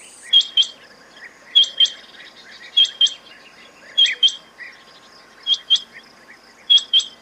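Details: Quail calling: sharp, high double notes repeated about every 1.2 seconds, six pairs in all, with soft, lower chirps between them over a quiet background.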